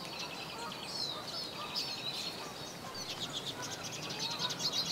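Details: Eurasian siskin, recorded in March or April 2010 where siskins fed on sunflower seeds, with a male singing from a perch: continuous high, fast twittering and chirping, with short trilled runs over a faint background rumble.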